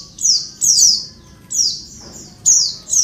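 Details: High, slurred downward notes from a female Oriental white-eye, a sound used to provoke males into calling; three or four quick notes in three seconds.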